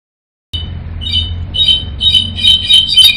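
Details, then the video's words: Goldfinch and singing solitaire (clarín): bright, high twittering notes in quick bursts, two or three a second, swelling louder, over a steady low hum. "Jilguero y clarin cantador"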